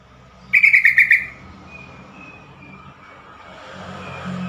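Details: Yellow-vented bulbul call said to get fast replies from other bulbuls and help silent or stressed birds start singing: one bright chattering burst of rapid notes, followed by faint notes and rising engine-like background noise.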